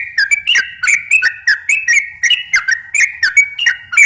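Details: Sooty-headed bulbul singing 'gacor' in slow and long 'ropel' style, a recording meant to lure other bulbuls; bright whistled notes alternate between higher and lower pitch in a lively, uneven run of chirps.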